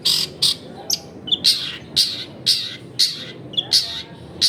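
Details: Long-tailed shrike in full, lively song with rich varied content, recorded at a home in a crowded neighbourhood. Short, bright, high chirped bursts repeated roughly every half second, with a faint low hum below.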